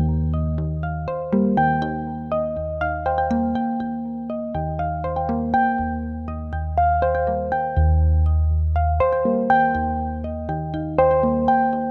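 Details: Gentle keyboard music with sustained chords and a plucked melody, no animal voices anywhere.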